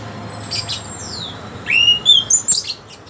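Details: Orange-headed thrush described as having a very melodious voice, giving a brief burst of clear, high whistled notes: a rising slur, then a short sweet phrase and quick sharp chips near the end, over faint low background hum.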